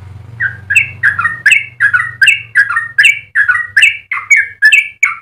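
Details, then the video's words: Yellow-vented bulbul in full, lively song in a long rapid warbling style, used as a model for training and provoking other bulbuls: bubbly, slurred whistled notes in quick pairs, about one per second, over a faint low hum early on. "Trucukan gacor ropel panjang cengkok termerdu untuk pancingan dan masteran"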